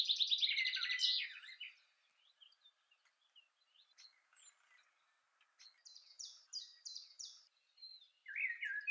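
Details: Common chaffinch male singing by the nest while the female builds it: a loud tumbling phrase at the start, then scattered faint chips, a short run of repeated rising notes and a final flourish.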